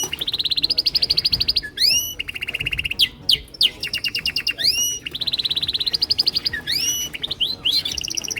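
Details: Several male canaries, each singing his own song to impress. Bright, high, rapid trills of evenly repeated notes alternate with fast upward-sweeping whistles and buzzy rolls in near-continuous song, with a faint low background hum.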